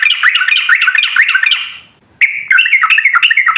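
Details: Sooty-headed bulbul song used as a lure to provoke other bulbuls to sing: rapid bubbling, chattering phrases of short rising and falling notes for nearly two seconds, a brief silence, then the lively chatter resumes.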